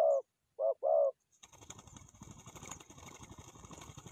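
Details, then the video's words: Forest dove for trapping gives a single coo then a short-long pair, after which the calling stops and broadband rustling, handling noise takes over. "Good Trap Forest Doves"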